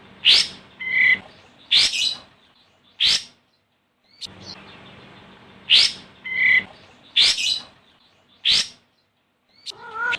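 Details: Olive-winged bulbul (Pycnonotus plumosus) calling to a rival, used as a lure call, gives loud, bubbly chattering bursts about every one to two seconds, with brief clear whistled notes between phrases over a faint steady hum.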